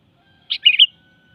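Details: Short melodious phrase from a sooty-headed bulbul: a clear opening note followed by a rapid, bubbling triple warble, with faint steady tones in the background.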